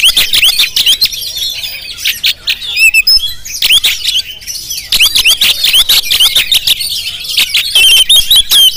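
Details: Jampang Oriental magpie-robin recorded with a GoPro, delivering loud bursts of sharp, rising whistles and harsh chatter. Repeated clicking ticks separate the phrases, with a short quieter gap near the middle.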